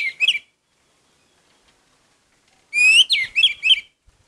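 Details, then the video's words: Orange-headed thrush in gacor song, meant to boost emotion: a short burst of rich, slurred whistles near the start, then after a silent gap a longer run of five or six quick, warbled, descending phrases. "Anis merah gacor Mendongkrak emosi"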